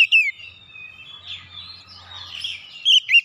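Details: Oriental magpie-robin song used to get a quiet bird singing again: short bright whistled notes at the start and end, with softer drawn-out warbling between them over a faint low hum.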